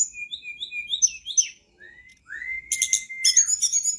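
A flycatcher sings high, thin whistled notes, with short repeated phrases and a sliding whistle, followed by quick bright twittering trills.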